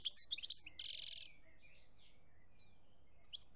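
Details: European goldfinch singing in Algeria, 2017: a brief burst of high twittering notes and a buzzy trill, then near silence with a few chirps at the end.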